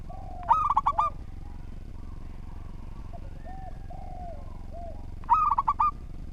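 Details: Local zebra dove singing well: a short burst of rapid cooing notes opens, soft drawn coos drift through the pause, and a second matching burst closes, over low background noise.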